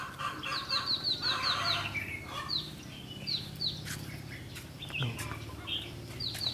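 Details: Red-whiskered bulbul used as a decoy during a trapping session on 21 February 2016. Bursts of sharp, high, downslurred whistled notes come in quick series, then scattered shorter phrases, over rustling and a low background hum.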